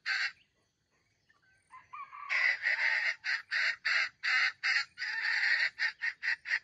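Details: Wild red junglefowl used as trap bait with a grinding, stuttering voice: a brief rasp, soft clucks, then a run of harsh, buzzy bursts broken into uneven short pulses.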